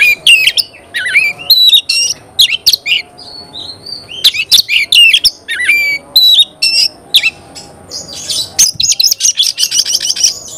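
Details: Oriental magpie-robin, a kept songbird in full loud song: varied whistles, sharp upslurs and rapid chattering trills, ending in a fast run of repeated buzzy notes.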